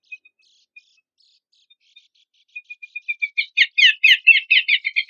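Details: Horsfield's babbler song used as a lure and training material for competition songbirds: faint scattered ticks build into a loud, fast, buzzy trill of high rattling notes.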